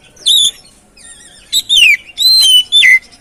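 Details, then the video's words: Oriental magpie-robin lure song meant to get a stressed, quiet bird singing: a few loud, drawn-out whistles sliding down in pitch, each about half a second long, separated by short pauses. "Pancingan Burung Kacer Atasi Macet Dan Stres Kurang Gacor"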